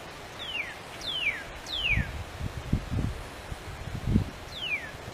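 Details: Wild Northern Cardinal singing freely: clear, downward-slurred whistles, three in quick succession then one more after a pause, over low rustling and thumping.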